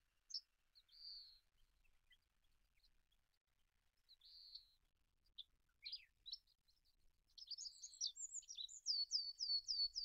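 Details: Olive-backed pipit singing: scattered thin high chirps and short buzzes early, then a quick rising burst of sharp high notes ending in a series of rapid downslurred whistles, background otherwise quiet.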